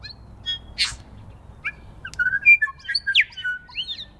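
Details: Feeding New Zealand bellbirds in spring snow give a harsh burst early on, then a dense sequence of pure whistles, quick slides and chirps.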